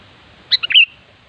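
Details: Wild sooty-headed bulbul delivering a single rapid phrase: three quick bubbly notes rising into a short clear whistled ending, against a quiet backdrop.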